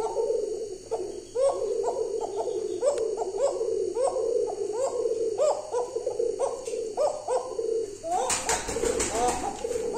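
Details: Home-bred show pigeon cooing: a steady series of short, low, rolling coos, each with a slight upward lilt, about two per second, ending in a sudden burst of clattering noise near the close.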